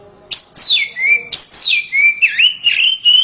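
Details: Oriental magpie-robin kept at home, singing loudly: clear whistled phrases that start high and slide downward, repeated twice, then a run of short warbled notes holding steady in pitch.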